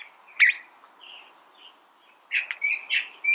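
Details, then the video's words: California thrasher song: a loud burst of harsh notes, a pause with soft scratchy phrases, then a cluster of varied, emphatic chirps and whistles near the end. "California Thrasher Bird Sound"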